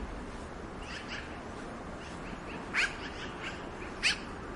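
Black-billed magpie giving two short, harsh, rasping calls about a second apart, after fainter chatter, over a steady hiss of background noise.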